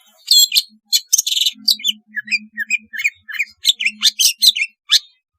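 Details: Long-tailed shrike singing as therapy for a non-singing shrike: a rapid stream of harsh chattering notes and lower warbled chirps, with a soft low buzzing hum running under part of it.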